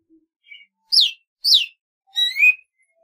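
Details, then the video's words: Golden-fronted leafbird: a couple of soft short notes, then two loud, sharp, downslurred whistles and a buzzy, rising, chattering phrase. "tiếng chim thanh tước | CHLORROPSIO AUKiFRONT"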